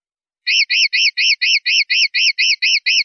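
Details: Common linnet in 'limpio' (clean) song style, from a 2019/2020 CD: a rapid run of eleven identical arched, chirping notes, about two per second, bright and evenly spaced, over silence.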